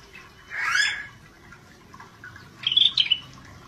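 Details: Scaly-breasted bulbul in full 'gacor' voice gives a harsh, rich squawking note. After a pause of about two seconds comes a cluster of sharp, high, fluty chirps. Faint background hiss.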